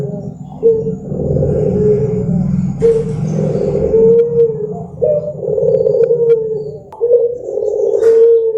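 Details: Barbary dove's melodious lure song, rolling coo phrases roughly every two seconds with a steady purring tone. A low rumble runs underneath, and there is a short click-like burst.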